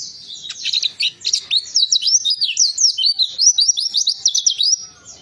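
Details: Warbling white-eye song played to get a silent bird singing: a sustained, lively stream of high, fast warbled notes rising and falling, pulsing several times per second throughout.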